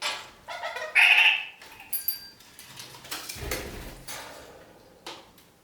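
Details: Kakariki parakeet walking upside down on a ceiling gives one loud, grating, nasal squawk of about half a second, followed by clicks, scrapes and light knocking indoors.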